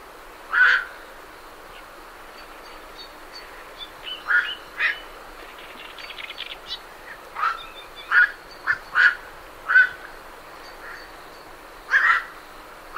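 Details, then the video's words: Birds leaving a night heron roost: a long series of short, raspy croaks, scattered at first, then coming in quick clusters near the end, with Great Reed Warblers ticking and chattering underneath. "Night Heron Calls"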